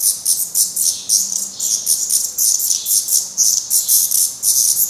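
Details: Black Redstart young at a nest in Portugal, still fed by the parents after first flight attempts; high, sibilant calls pulse in quick bursts, several per second, forming a steady, insistent chorus.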